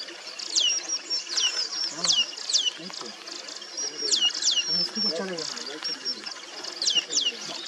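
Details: Manipur fulvetta (Fulvetta manipurensis) in Mishmi Hills, Arunachal Pradesh, India, in April 2023, giving thin, high notes that slide sharply downward, repeated in quick bursts about every second, over faint low voices and murmur.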